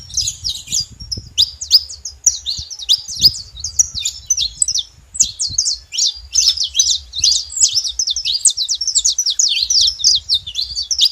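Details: Saffron finches chorusing together: a long, busy tangle of high twittering chirps and quick slurred notes. A short lull comes near the midpoint, with faint low noise beneath.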